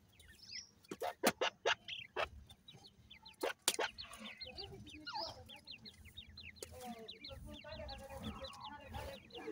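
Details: Grey francolin chicks being fed: a run of loud, sharp taps opens, then many rapid, high, rising peeps build into a dense chattering chorus toward the end.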